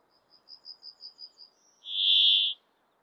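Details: A male brambling in breeding plumage sings its simple song in Abisko National Park, Swedish Lapland, on 24 June 2022, with wind noise reduced. It gives a soft run of seven thin, high ticks, then a single loud, nasal, buzzing wheeze lasting under a second.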